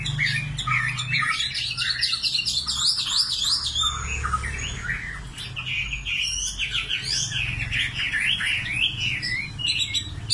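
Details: Common nightingale singing: dense, continuous warbling of rapid rising and falling whistled phrases, with a low steady hum underneath throughout.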